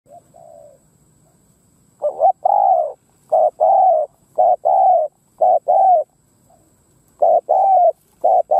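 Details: Spotted dove decoy bird cooing to lure wild doves: soft, low, throaty coos in short pairs and triplets, repeated about once a second after a quiet opening coo, with a faint steady high hum in the background.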